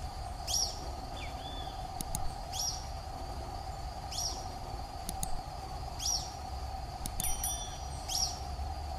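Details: Social flycatcher calling in the wild Atlantic Forest, recorded live: sharp, high, slightly descending call notes given five times, roughly every one and a half to two seconds, over a steady low hum and faint background clicks.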